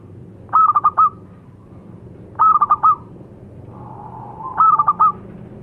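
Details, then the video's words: Local zebra dove (perkutut lokal) singing: three phrases of four quick staccato cooing notes with a short trailing note, repeated about every two seconds over a low background rumble. "Suara Burung - Perkutut Lokal"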